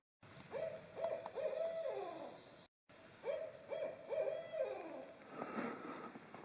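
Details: A Barred Owl near a tent at a backpacking campsite in Rocky Fork State Park, Tennessee, on a cool (about 50°F) early-June morning gives two rhythmic series of deep, throaty hoots, each ending in a drawn-out, downward-sliding note.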